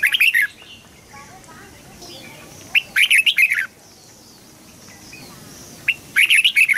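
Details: Red-whiskered bulbul song used for training young birds: loud bright warbling phrases of quick whistled notes, one at the start, one near three seconds and one at the end, with faint background between.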